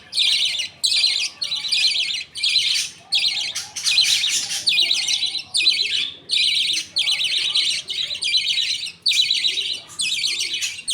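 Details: Budgerigars at feeding time in a colony, a father feeding food paste to two chicks while the mother watches and others wait. Harsh, raspy high bursts repeat about once a second in an uneven rhythm, with soft chatter beneath.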